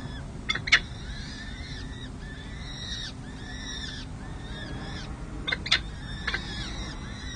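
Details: Peregrine falcon nestlings, six and seven days old, call from a city hall nest in San Jose during a feeding on 7 May 2024. Arched, squealing chirps overlap through the clip, with loud clicks near the start and again near the end.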